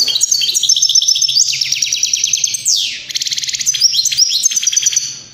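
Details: Unbroken European greenfinch song of fast rattling trills and high stepped notes, with a long descending sweep midway through.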